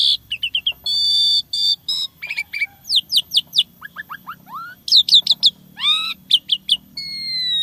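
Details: Lively fill-in song from an Asian pied starling: fast chipping, sustained buzzy notes, repeated steep downslurs, a run of rising whistles and bursts of harsh chatter, delivered almost continuously.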